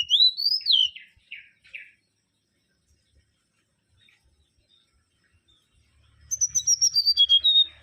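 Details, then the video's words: Mangrove whistler (Pachycephala grisola) song: an arching whistled phrase that rises then falls, with a few buzzy notes after it. A long quiet gap follows before a fast run of clear whistles descends in pitch. "Kancilan Bakau Gacor"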